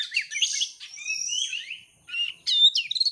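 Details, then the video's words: Oriental magpie-robin, a champion competition bird, singing a lure song meant to provoke another bird into singing: rich, varied whistled phrases with rising and falling slurs, sweet notes and sharp chirps, delivered continuously with a brief pause. "kacer juara siap gantang pancingan kacer gacor langsung on"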